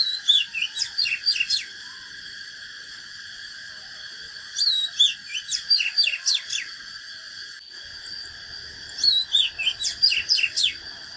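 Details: Oriental magpie-robin giving natural fighting song: three phrases about four seconds apart, each a cascade of whistled slurs and rapid steep downward notes, over a constant high drone.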